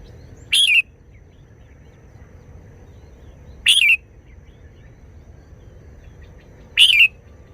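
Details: Short wild-style song (phleng pa) of a Red-whiskered bulbul: a compact, sharp, whistled-warble phrase repeated three times at roughly three-second intervals, with steady faint hum beneath.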